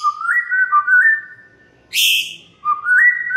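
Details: White-rumped shama lure song meant to make other shamas sing: clear stepped whistles rising and falling, a brief harsh high burst midway, then more smooth looping whistled notes.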